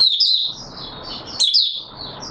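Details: Oriental white-eye, known locally as Mata Puteh Raja, in open song, recorded 24 March 2022: high, thin twittering phrases with sliding, warbled notes, broken by a short pause, over a soft low background hiss.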